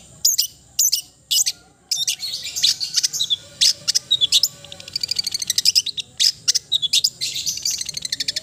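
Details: Long-tailed shrike (cendet) in an energetic, varied song: high chips, buzzy trills and twittering runs packed closely together, becoming a fast continuous chatter in the second half.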